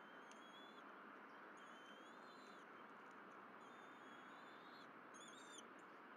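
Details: Berry College bald eagles, mother and young on the nest with delivered fish, morning of 12 April 2023. Repeated long, thin whistles, some slightly rising, spread through six seconds over a persistent hiss.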